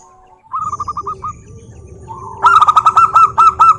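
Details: Zebra dove of local stock in full song, used as a lure to set caged doves singing. Short rapid staccato notes come first, then a loud, rhythmic trilled phrase over a low background hum.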